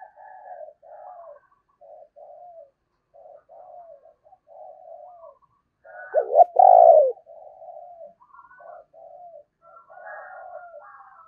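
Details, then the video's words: Decoy Spotted dove, Thổ voice style, among soft repeated cooing phrases about every second, with one loud double-note-and-long-coo burst near the middle. "tiếng cu gáy - Chim Cu Mồi Giọng Thổ Gáy Hay"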